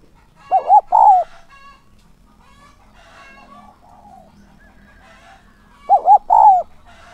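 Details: Decoy spotted dove calling to lure wild doves in an urging voice. Two separate three-part coo phrases, short double hoot then a drawn coo, are about five seconds apart. Quieter cluck-like harmonic sounds come between them.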